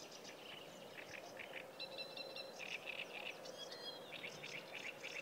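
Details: Sedge warbler singing by the Kyjovka stream near Lanžhot, 15 May 2016: a fairly distant, fast chattering song of repeated churring and scratchy notes with short whistled trills, over steady background hiss.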